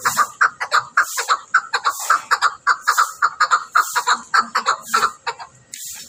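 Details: Chukar partridge calling in a steady run of clucking chuck notes, about two to three per second, each with a bright mid-pitched core and a hiss above, continuing without pause throughout.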